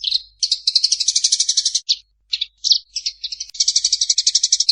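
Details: Fighting call of a Eurasian tree sparrow: a rapid buzzy chatter, a series of separate sharp chirps with short gaps, then another sustained chattering rattle to the end.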